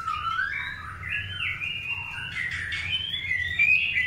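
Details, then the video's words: White-rumped shama during a pairing process for breeding, long-tailed type, singing a continuous, varied warbling song of whistled and slurred notes with quick rising and falling phrases, over a low steady background hum. "PROSES PENJODOHAN MURAI BATU EKOR PANJANG"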